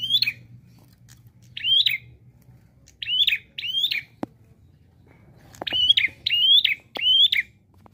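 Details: Prinia called prenjak klawu singing busily with 'nembak' variations: short, high, chirping phrases rising then falling, given singly then in quick runs of three or four, plus a few clicks and low background hum.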